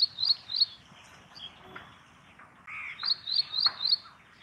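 Ashy prinia giving high, sharp chirping notes in quick runs, two notes, then a pause, then four more at about three per second.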